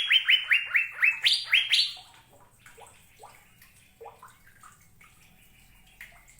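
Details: Asian fairy-bluebird giving a fast run of about eight loud, rising whistled notes, each sliding upward and repeated roughly twice a second, then fading to softer scattered chirps and short upward notes.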